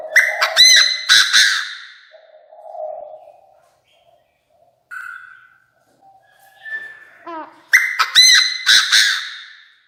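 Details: A Chinese francolin decoy calls the flock with a loud, grating run of rapid clipped notes. A quiet gap with brief low hums and a short whistle follows, then a second burst of the same harsh phrase.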